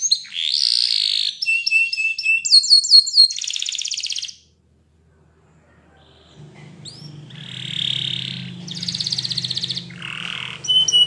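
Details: Spanish Timbrado canary training song with varied phrases: buzzy trills, a steady whistled tone, rapid descending notes, then a silent gap before further trills over a low hum.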